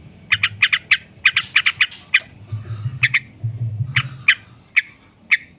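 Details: Yellow-vented bulbul 'ngekek' chatter used as training lure: a fast run of raspy notes, then scattered single harsh notes with pauses, low hum in the background.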